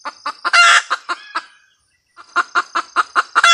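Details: Female red junglefowl cackling. Sharp clucks come about every quarter second, broken by one loud, harsh, broadband squawk. A short pause follows, then the quick cluck series resumes and ends on another harsh note.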